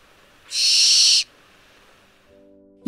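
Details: Barn owl, also called the common barn owl, a species found throughout Europe. A single harsh, hissing screech lasts under a second, then quiet, then a brief voice-like sound at the very end.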